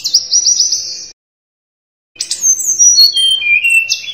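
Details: Sunda robin in lively song: a high stuttered whistle phrase, a short pause, then a tumbling run of sliding whistles and twitters.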